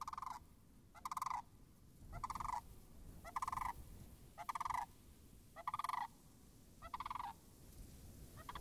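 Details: Several sandhill cranes call near frozen marsh puddles on 26 March 2019. Eight strong, burry rattling calls of about half a second arrive at a steady pace, roughly one per second, over a faint low background hum.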